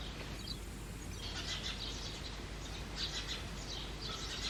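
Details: Begging from two baby house sparrows while parents feed them in an artificial clay pot nest: dense, high, rasping chirps running almost continuously after a quiet opening second, with faint low background noise.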